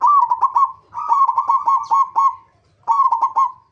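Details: Zebra dove of a local type, its song used to lure other zebra doves into singing: three strong phrases of rapid, rolling staccato coos, the middle one longest, with a short pause before the last.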